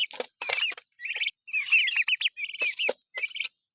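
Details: Six-week-old heritage turkeys feeding together, giving a rapid run of high, whistled chirps and peeps, some rising and some falling, with brief pauses between bursts and soft pecking sounds underneath.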